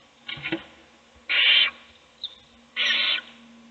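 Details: Owl feeding a chick inside a nest box, other chicks asleep; a faint scratchy sound is followed by two loud rasping hisses about one and a half seconds apart.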